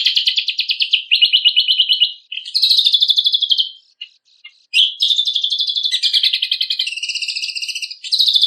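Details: Training recording of a lemon-bellied white-eye for contest songbirds: long runs of high, rapidly repeated buzzy notes in changing phrases, broken by a short pause with a few soft chips, then more fast rattling trills.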